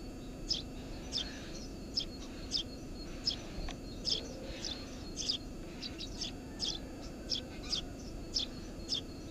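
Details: Near its nest under the roof of a house, a Eurasian tree sparrow calls with rapid, high, clipped chirps, often doubled, in a steady stream, over a low constant hum.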